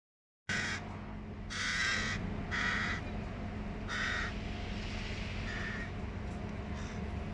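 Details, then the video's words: Hungry hooded crow fledglings chasing their mother give harsh, nasal begging caws, about five drawn-out cries roughly a second apart, over a steady low rumble of traffic. "Hungry fledgling crows chase their mom. Crow sounds \Голодные слетки вороны преследуют мать и кричат"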